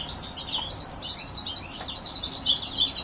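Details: Red grey-winged canaries singing: a fast, continuous warbling trill of high, rapidly repeated notes, steady and unbroken, with faint low background noise.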